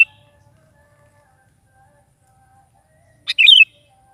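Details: Sooty-headed bulbul in full morning voice, meant to set a pet bulbul singing: after near silence, a single sharp click and a quick, bubbly, wavering phrase.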